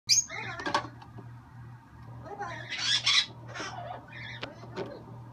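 A green-winged macaw gives several harsh, raspy squawks and short chatters, spaced irregularly over a few seconds, against a low steady indoor hum.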